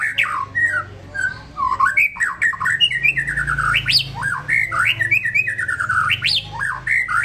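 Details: White-rumped shama in easy, relaxed song, delivering continuous looping whistled phrases that rise and fall steeply, repeated in similar sequences, with a faint low hum behind.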